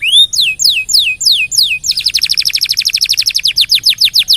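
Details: Canary singing energetically as training material for other birds: a few slow, looping downward whistles give way to a fast, even trill of clipped repeated notes.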